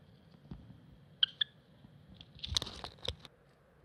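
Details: Cinnamon Java sparrow (Padda oryzivora) singing in a weedy field on 8 April 2021: a few clear, high bell-like notes, then a quick burst of dry clicks and chirps, over soft rustling.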